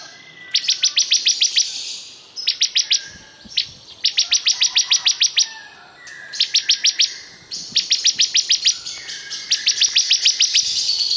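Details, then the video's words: Very vocal bar-winged prinia delivering repeated bursts of six to eight fast, high, ticking notes, each burst separated by brief pauses of about a second. "Ini Dia Suara Burung Ciblek Kristal super gacor"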